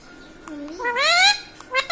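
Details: Talking pet Indian ringneck parakeet indoors giving a long, rising, strongly harmonic voice-like call, preceded by a softer low glide and followed by a short clipped note, with faint room hum behind.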